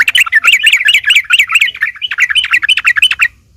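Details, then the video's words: Agitated yellow-vented bulbul, used to provoke other bulbuls into answering; continuous fast, scratchy chattering with quickly bouncing pitch runs for over three seconds, then stops abruptly, with a quiet background. "trucuk gacor taruNG buat pancingan trucukan agar bunyi"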